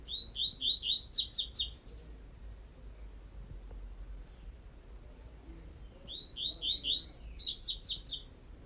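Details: Coleiro tui-tui singing a tutoring song, two high, fast phrases of slurred upward whistles that turn into buzzy downstrokes, each lasting about two seconds over a steady low hum.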